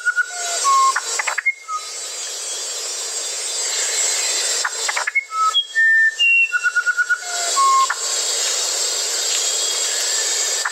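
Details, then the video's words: Musician wren: short phrases of pure whistles at varied pitches and a rapid pulsed trill, separated by quieter pauses, with a constant high hum of insects or hiss throughout. "SONIDOS del CUCARACHERO MUSICAL"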